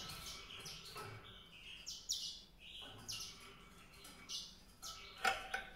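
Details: White-rumped seedeater song: bright, high twittering notes in quick clusters, separated by short gaps, some sliding upward, against soft background noise.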